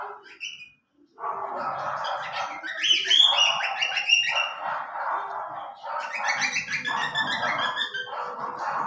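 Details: Baby cockatiel (Nymphicus hollandicus) chicks give a dense chorus of raspy, wheezing calls, repeated rapidly and overlapping.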